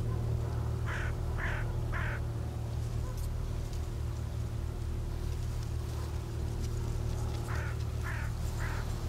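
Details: Greylag geese calling after a crow approached them and revealed the hidden recordist's position: two bursts of three nasal honks, about half a second apart, over a steady low rumble like wind or distant engine noise.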